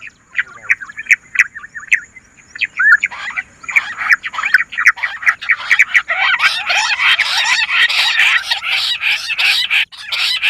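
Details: Bush quail lure call: scattered short, sharp whistled notes that build into a dense, continuous chatter of overlapping chirps.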